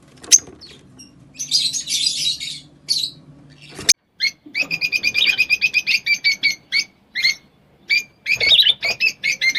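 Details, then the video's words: Rosy-faced lovebird calls meant to stimulate mating: a noisy squeaky burst, then a rapid series of sharp, clipped, harmonic chirps repeated several times a second, ending in mixed chirps and chatter. "أجمل تغريد لطيور الروز .. صوت الروز .. صوت الروز"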